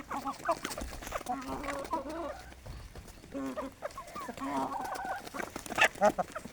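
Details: Several Aseel hens at a village chicken farm during morning feeding on desi grain; steady low clucks and short nasal calls repeat in loose bursts, with sharp clicking pecks and a brief higher squawk near the end.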